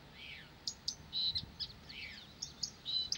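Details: Blyth's reed warbler in continuous song: brief high ticks alternating with short level whistles and downslurred notes, each motif repeated about twice per second over faint low noise.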